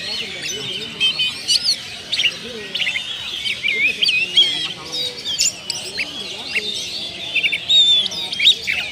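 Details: Lure song of an oriental magpie-robin, meant to coax out mimicked phrases: rich, varied whistling with quick chips, slurred notes and short trills delivered in bursts over a steady background hiss.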